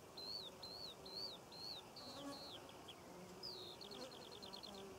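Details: Eurasian skylark singing over poppy fields in Cornwall in June 2014: a high, rapid run of slurred chirps, then a quick trill of repeated clipped notes, with faint background hiss.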